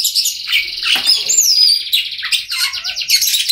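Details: Oriental magpie-robin recorded as a prompt for silent magpie-robins: vigorous trilled notes, a clear high downward-gliding whistle in the middle, then quick rattled and whistled phrases.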